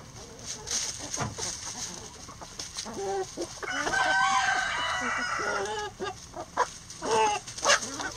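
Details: Rooster crowing in a coop while hens feed on eggs; a long, hoarse, drawn-out crow of about two seconds sounds over steady murmuring clucks and short hen calls that continue before and after.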